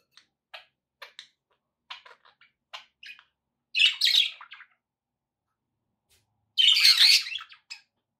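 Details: Pet budgerigars calling indoors: a string of thin, clicky ticks and short chirps, broken by two louder, harsh squawking bursts.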